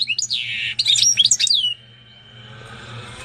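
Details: Canary and European goldfinch hybrid singing: a high, rapid burst of twittering notes, downslurred whistles and a sweeping slide lasting under two seconds, then near silence with a faint low hum.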